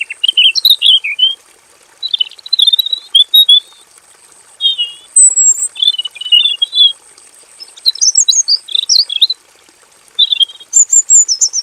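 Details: Caged male robin in a simple aviary delivering long rolling song: bursts of high, sharp twittering phrases about two seconds long, separated by short pauses, over a faint constant hiss.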